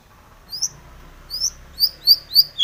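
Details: Long-tailed shrike in lively song, offered as a lure to provoke other shrikes into singing: sparse high, thin slurred notes, then a quicker series of five sharp chirps near the end over a quiet background.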